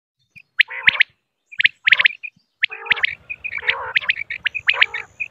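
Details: Female common quail calls: bright, clipped notes in quick groups of two or three, with short pauses and then denser overlapping bursts. A low, steady pulsing hum runs underneath.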